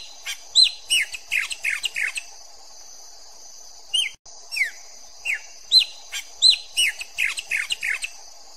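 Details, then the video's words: Chopi blackbird (pássaro-preto, graúna) singing: loud, clear whistled notes that slide downward, delivered in quick bursts of several notes, a brief pause near the middle, then a second run; a steady high hiss runs underneath throughout. "PÁSSARO PRETO - Canto Puro bonito de se Ouvir !!"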